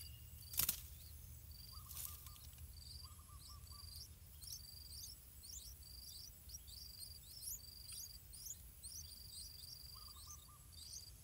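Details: Yellow-vented Bulbul parents feeding their chicks on a pineapple farm: quick runs of thin, high chips repeated across the clip, with a few low bubbly trills, two sharp knocks and a steady low rumble.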